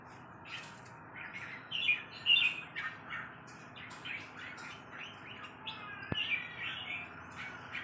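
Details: Red-whiskered bulbul song: short bubbly warbled phrases around mid-high pitch, loose and irregular, with a faint click partway through and steady background hiss.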